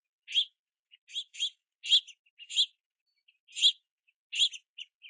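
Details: Begging house finch young waiting beneath a backyard feeder in rain while parents collect sunflower seeds; uneven series of buzzy, broadband chirps, some paired, with brief gaps.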